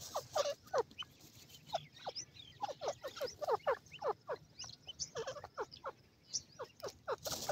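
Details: Caged female partridge with her young: rapid, irregular series of short descending notes, grouped in bursts separated by short silences, with occasional higher squeaky notes.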